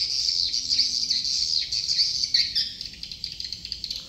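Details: Swiftlets in Dương Tơ commune, Phú Quốc, Vietnam, where birds are said to be very few: dense, continuous high twittering chirps, overlapping and buzzy, forming a steady shimmering chorus that fades slightly toward the end.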